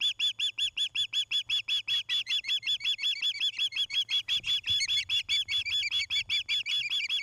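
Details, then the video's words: Osprey at a nest cam near Charlo, Montana, in the evening of 29 August 2018: a rapid, steady series of sharp, high whistled chirps, about two to three per second, with a faint low hum underneath. "Osprey Nest"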